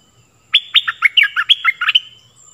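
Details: Lure and training song of a stripe-throated bulbul: a lively run of roughly twelve clear, slurred chirps leaping between higher and lower pitches, closing abruptly; a faint steady high tone underneath.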